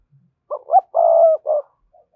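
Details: Spotted dove coo meant to draw in wild doves: a brief pair of hooting notes, a sustained even coo lasting nearly half a second, and a short closing note, clear against silence.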